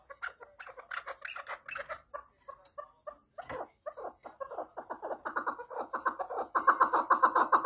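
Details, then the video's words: Chukar partridge calling, a long run of rapid harsh chattering notes, roughly two per second, building louder and denser toward the end; no other sounds. "Muhteşem Keklik Sesi | Süper Keklik Sesi"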